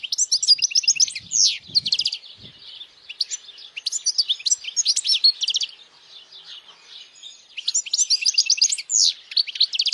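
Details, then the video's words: European goldfinch in strong song intended for juveniles to memorize and to bring in females; three long bursts of fast, tinkling high twitters and buzzy trills separated by softer chatter, with faint low knocks early on. "Jilguero cantando fuerte para memorización los jilgueros /Goldfinch singing the best chirping sounds"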